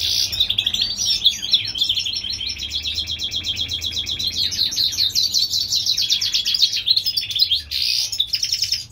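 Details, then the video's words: Spring song of a European goldfinch hybrid bred in California: a continuous, fast twittering run of bright trills and buzzy notes, with rapid repeated chirps and brief pauses throughout. "European gold finch Hybrid/ The Spring time."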